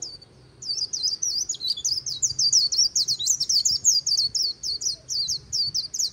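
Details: White-eye in Vietnam singing the "líu" trill near the Kỳ Cùng river, starting after a short pause with a quick steady series of high, thin twittering notes that carries to the end.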